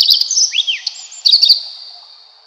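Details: Redstart song: a high whistled opening, a swooping downslurred note, then a fast twittering flourish around the middle, trailing off into faint echoing notes.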